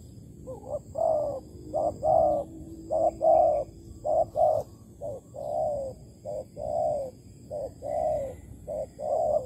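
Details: Malaysian spotted dove recorded during bird trapping with plain bait on 11.08.2020; mellow low coos in pairs, a short note then a longer drawn-out one, repeated about once a second, with faint steady hiss behind.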